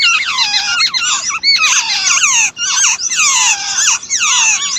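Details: While their mother feeds them, chicks keep up a nearly continuous chorus of high, slurred squeaks, many notes dropping steeply and overlapping.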